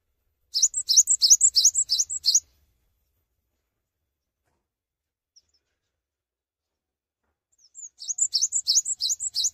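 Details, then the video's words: Two even bursts of shrill, rapidly repeated paired notes from a gacor Cinereous tit that sings without jumping, with a long silence between strophes. "GELATIK BATU GACOR TANPA LOMPAT BISA BIKIN GELATIK WINGKO LAIN AKAN SEGERA IKUT GACOR"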